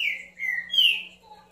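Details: Green-winged saltator delivers a short, bright phrase of three clear whistled notes: a falling note, a lower level note, then a strong rising and falling whistle.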